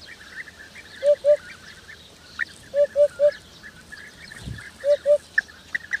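A hoopoe gives soft, low, hollow hoots in quick groups of two or three, 'oop-oop-oop', with other birds chirping in the background.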